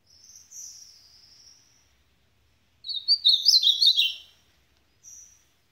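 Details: A thin, drawn-out high whistle, then a busy warbled supapo phrase from an ultramarine grosbeak, ending with one short high note.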